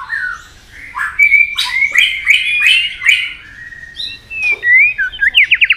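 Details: White-rumped shama song meant to provoke and fire up rival birds: a run of varied whistled phrases around mid pitch with sharp upward notes, ending in a quick rapid trill of repeated notes.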